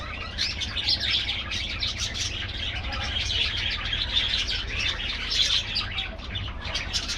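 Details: Budgerigar colony in an aviary, an unbroken mass of high twittering and warbling from many birds, with low-pitched noise below.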